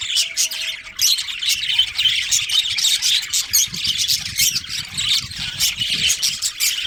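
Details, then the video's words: Colony budgerigars, including a breeding pair, chirping busily; rapid high twittering and harsh squawks overlap continuously, with some low rumble underneath. "Cute Budgies Chirping Sounds"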